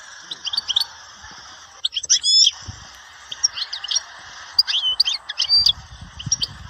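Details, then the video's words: Goldfinch recorded at Dahouara, Souk Ahras: scattered short twittering phrases and sharp chirps, one louder burst near the two-second mark, over a steady hum with low rumbling at the end. "تغريد حسون سيكتور الدهوارة سوق اهراس"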